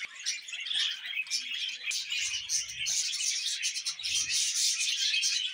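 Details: Budgerigars kept as pets give a steady, dense run of rapid twittering warble, high and buzzy with sharp chirps woven through, barely pausing across the whole stretch; faint low knocks near the middle.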